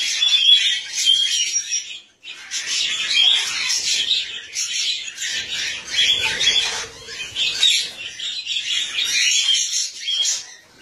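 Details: Cockatiels mating for the first time give a dense stream of harsh, high chattering and squawking calls.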